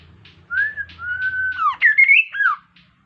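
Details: Kaso-kaso bird, an insect eater, in energetic gacor song for prompting other birds: clear whistles rising then held steady, followed by a quick cluster of looping, falling and rising whistled notes.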